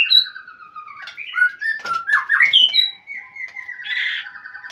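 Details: White-rumped shama calling a rival: a loud, continuous run of clear whistles, slurred rising and falling notes and short harsh chatters, ending in a drawn-out buzzy whistle.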